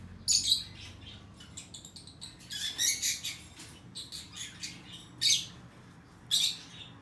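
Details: Fischer's lovebird recorded 6 April 2020, producing a burst of harsh high screeches followed by a run of rapid chattering chirps, then two further loud shrieks about a second apart.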